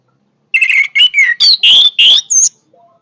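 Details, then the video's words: Energetic orange-headed thrush phrase: a half-second pause, then seven loud, rich whistled notes in rapid sequence, sliding and fluting, finishing on a high, pure note. "kicauan Anis merah yang bertenaga"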